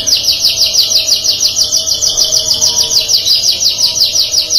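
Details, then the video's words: Canary in song, which other canaries reportedly answer within two seconds; a long, evenly pulsed high trill of quick slurred notes, steady in pitch and volume for several seconds. "GAK BUTUH LAMA 2 DETIK KENARI LAIN RESPON | CANARY SINGING"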